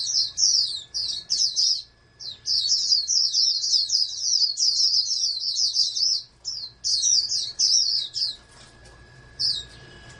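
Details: High rapid chattering song from a farm-bred oriental white-eye, a hopeful national champion, in long warbled runs broken by brief silences near two and six seconds, with a low hum in the background.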